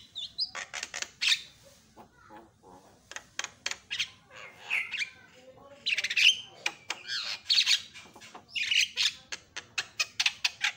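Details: Javan mynas respond within seconds to a lure recording, chattering noisily with harsh squawks, grating rasps and sharp clicks in irregular, overlapping bursts as several birds call together.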